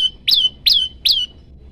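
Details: Three loud, ringing notes from a hungry prenjak lumut, each a sharp high burst trailing into a level whistle tail. They are spaced about 0.4 seconds apart in long-shot style singing.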